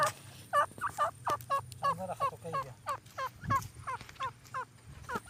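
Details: Purebred partridge calling loudly in a fast, even string of ringing notes, each a quick curled phrase with bright overtones, repeated about three times a second with short gaps, over a low hum.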